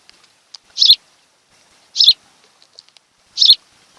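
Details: Afternoon nest-camera recording of an osprey pair's nest on Kent Island, Maryland, 26 July 2018: three piercing high chirps roughly every 1.3 seconds, with faint soft ticks between them.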